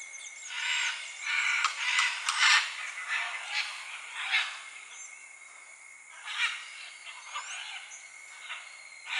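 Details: In Costa Rica, harsh, raspy squawks from a Scarlet macaw come in irregular bursts, with a steady high insect-like whine underneath.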